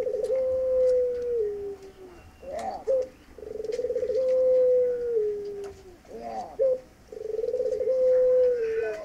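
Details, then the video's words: Puter pelung dove courting its female, an Indonesian cooing bird prized for its long flowing voice: three long level coos, each ending in a falling slur, spaced by short gurgling notes, repeated roughly every three to four seconds. "PUTER PELUNG 9 : PUTERNYA LAGI NGERAYU BETINANYA"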